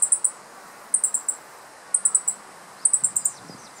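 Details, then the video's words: Alarm calls of a male meadow bunting on a dead branch in Japanese riparian forest, mid-July 2015, wary of a nearby person after eating an insect: sharp, high, clipped notes in tight clusters of three or four, repeated roughly every second. "Meadow Bunting Calling on Alert ホオジロ♂（野鳥）の捕食と警戒声♪"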